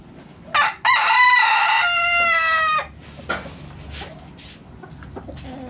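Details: Backyard rooster crowing inside the coop as the flock eats: a short clipped note, then a long, loud crow of about two seconds that falls at the end, followed by faint clucks and scratching.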